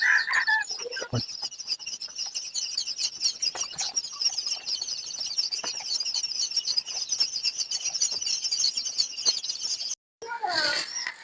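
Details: Day-old quail chicks in a brooder on the first day of brooding: a dense, continuous chorus of high, thin peeps, with a brief gap near the end and a short louder burst.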